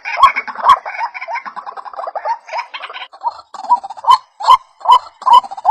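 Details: A white-breasted waterhen lure recording begins as a jumbled burst of croaking notes, then settles into clear, evenly spaced rising calls with sharp clicks, roughly two per second.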